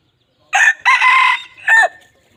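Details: Red junglefowl crowing: a harsh, broken crow in three bursts, a short opening note, a long loud middle section and a shorter falling final note, over about one and a half seconds in a quiet setting.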